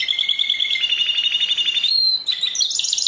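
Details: Canary singing a steady rapid trill of repeated notes that ends in a rising whistled slide, followed by a quick high chattering phrase.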